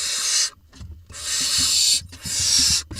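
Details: Nest-box barn owl chicks, Israel, 20 June 2021, the smallest swallowing a vole: three drawn-out, steamy hisses, the middle one longest, separated by brief silences, with light tapping in the background.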